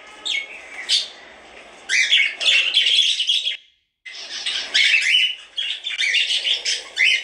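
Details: Pet cockatiels chirping busily indoors: bright, high, overlapping chirps and short squawky whistles in quick bursts, with a brief pause midway before the chatter resumes.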